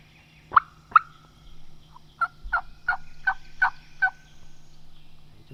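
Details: Wild Osceola turkey gobbler at dawn during Florida spring hunting season on public land, roosted and about to fly down: a rapid series of sharp, gobbling notes in quick succession, heard at a distance over a steady low hum.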